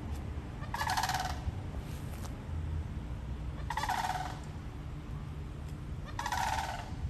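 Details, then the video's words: Florida sandhill cranes calling: loud rolling, rattling bugle notes in bursts about a second long, three bursts spaced roughly every two and a half seconds, over a low steady background rumble. "Florida Sandhill Crane Bird Call"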